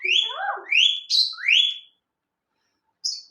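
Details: Ringneck parrot, a kind said to talk very quickly, gives four loud whistled notes that sweep upward, some with a short lower trill, then goes quiet before a brief final chirp.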